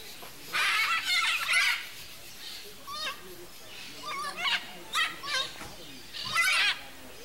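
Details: A mated pair of red-and-green macaws (Ara chloropterus) in the wild in Brazil's Cerrado squabble with harsh, raspy screeches: a long grating outburst, shorter croaky squawks, then a final loud screech.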